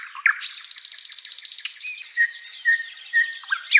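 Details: Tutor recording of flycatcher song for teaching cage birds: a fast, rattling trill of about twenty-five ticking notes, followed by several short, clear whistled notes and high slurred chirps.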